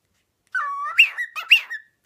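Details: Ten-year-old pearl cockatiel, kept as a pet, singing with a strong sense of rhythm, filmed 20 August 2016: a clear whistled phrase rising from a low held note to bright peaks, repeated twice.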